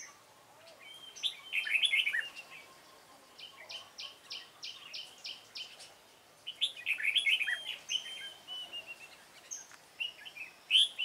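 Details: Trapping of a dark-bibbed red-whiskered bulbul, 28 February 2017: bursts of liquid warbling alternate with runs of quick, evenly repeated chirps, several bouts over eleven seconds.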